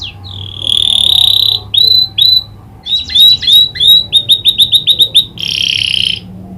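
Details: Singing canary trained on the prinia's clicking call: a long bright whistled note, two short upslurred swoops, then a fast series of sharp clicking pulses, ending in a buzzy rolled trill.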